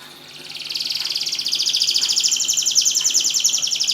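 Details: Canary song for prompting silent canaries to sing: a rolling, rapidly pulsed high trill that grows louder and holds steady.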